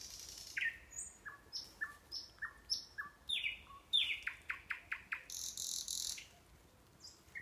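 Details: Nightingale song from the Kurchatov district of Kursk region, Russia, near the Orbita sanatorium: a series of rising slurred whistles, several spaced paired notes, a fast dry rattle of repeated notes and a buzzy burst, all loud against quiet surroundings.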